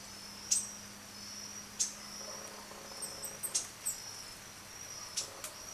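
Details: A female blue dacnis, brought by her mate after he arrived first, gives about five thin, very high, sharp tsip notes at uneven intervals over a steady high insect drone and a faint low hum.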